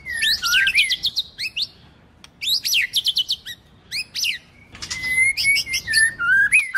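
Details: White-rumped shama song, with a female singing to stimulate males: bursts of whistled, sweeping notes mixed with rapid sharp chips between 2 and 8k, broken by short pauses, then a rising and falling whistled phrase near the end.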